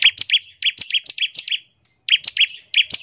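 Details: Bar-winged prinia firing a ngebren lure song for other prinias: fast, paired high chirps in quick clusters, a short silence, then the clusters resume.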